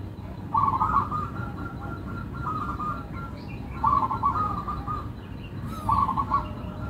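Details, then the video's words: Local zebra dove in melodious song: three phrases of stuttering coos, each opening with a quick rattle of notes and trailing into a longer steady rolling coo, about three seconds apart. "Perkutut Lokal irama merdu, suaranya bikin adem ayem"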